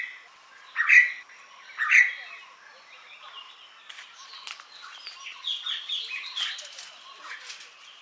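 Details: Red spurfowl giving its typical call, in which harsh karr notes and ker-wick notes are described. Two loud, harsh, rasping bursts come about a second apart, followed by softer scattered chirps and twitters from other birds.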